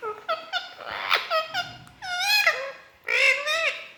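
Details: Pet Indian ringneck parrot talking to its reflection in a mirror indoors: a rapid run of harsh, voice-like squawked syllables, several rising and falling, with brief pauses between bursts.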